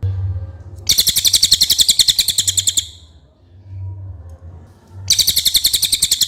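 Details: Common iora singing clearly, recorded as masteran tutor material: two rapid rattling trills of steady, high, buzzy pulses, each about two seconds, with a low hum during the quiet gap.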